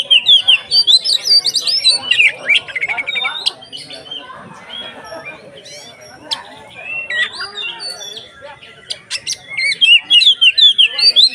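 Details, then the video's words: Kacer (magpie-robin) delivering 'konslet ngeplong' song meant as bait to make other kacer more emotional; rapid bursts of sharp chirps, buzzy notes and rising whistles, a softer middle stretch, then renewed fast repeated phrases. "SUARA BURUNG Kacer konslet NGEPLONG untuk PANCINGAN KACER supaya lebih EMOSI"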